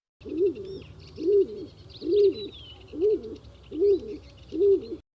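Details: A stock dove, a species of wooded farmland in the British Isles, gives its insistent low, hollow two-part 'ooo-wuh' coo about every 0.8 seconds; small birds chirp and whistle faintly in the background.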